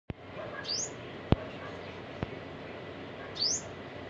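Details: An Olive-backed sunbird (Cinnyris jugularis), recorded 7 October 2022, gives two thin, high, rising call notes about three seconds apart, over a low background hum with a few sharp knocks.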